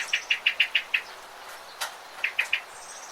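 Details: A bird gives a quick series of six short, bright chirps, about six per second, then a pause and three more, over a soft hiss of background noise.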